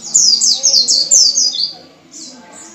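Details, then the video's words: Ngalas white-eye song used to prompt caged white-eyes into singing: a quick run of high, sharp, slurred chirps descending slightly, then fading into softer high notes. "PANCINGAN PLECI ngalas full power dengan cepat membuat pleci buka paruh"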